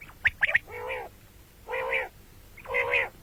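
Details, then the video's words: Common quail calling, heard morning and night: three quick, sharp, high clipped notes, then a pause and a series of lower, nasal, drawn-out notes repeated about once a second. "бедана batair ki awaz quil sound beautiful morning and night بٹیروں کی سپیشل زبردست آواز صبح رات"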